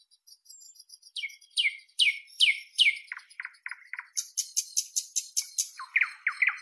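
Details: A nightingale delivers a steady rhythm of strong repeated notes, about three per second, shifting from down-slurred chirps to lower clipped notes and then a rapid high series; no other sounds.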